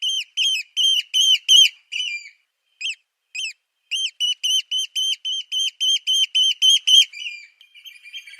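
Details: Eurasian oystercatcher: a fast burst of sharp, shrill piping notes, then a pause broken by two single notes, then a long rapid run of about twenty piercing notes. The run ends in softer trailing peeps.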